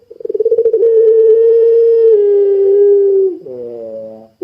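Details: Sustained coo of a puter pelung dove, recorded as a lure for other doves: fast pulsed notes run into a smooth long tone that slowly sinks, finishing in a brief low buzzy phrase.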